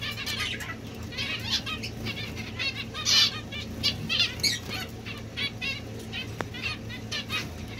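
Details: Domestic society finches (Lonchura striata domestica) give busy, high, chattering twitters in quick bursts, with a few sharper chirps, over a low steady hum.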